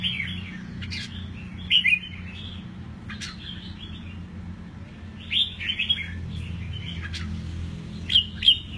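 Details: Caged red-whiskered bulbul, eight months old and just through its moult, singing freely: short warbled phrases of bright, slurred whistles arriving every one to three seconds, with a steady low hum in the background.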